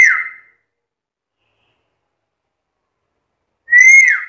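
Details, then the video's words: A talkative black-capped lory: the tail of one falling whistle, a long quiet gap, then a fresh clear note that rises slightly, holds and bends downward. "BURUNG NURI KEPALA HITAM GACOR BISA NGOMONG SUPER CEREWET"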